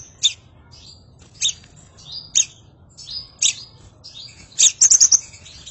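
Scarlet minivet giving thin, high, sweet whistled notes about once a second. They end in a quick burst of several sharp notes over a low background hum.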